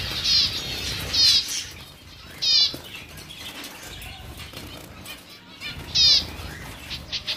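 Zebra finch giving short, nasal, buzzy calls in a few separate bursts.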